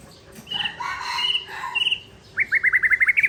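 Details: Original Tangse white-rumped shama from Aceh singing against a rival: after a harsh, rough burst of sound, a fast series of about ten crisp, clipped notes repeated rapidly, amid background noise.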